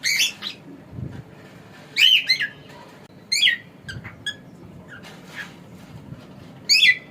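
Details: Male pet cockatiel giving sharp, wavering chirp-squawks every second or two, mixed with faint twittering notes.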